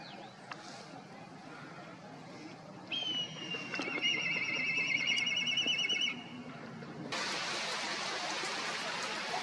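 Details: Black Kite gives a whistled note that slides down into a quavering, rolling trill lasting about three seconds. A soft click comes before it, and a burst of broad hissing noise follows afterward.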